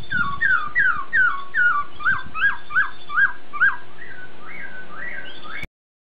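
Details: Import-style song of a masked laughingthrush (poksai Hongkong): a rapid series of about twelve slurred whistles, each sweeping down then up, slowing into softer, higher notes before stopping abruptly, with light thumps early on.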